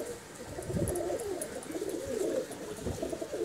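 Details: Pigeons kept in a home loft as a hobby, cooing in a low, rolling, continuous murmur over steady background noise.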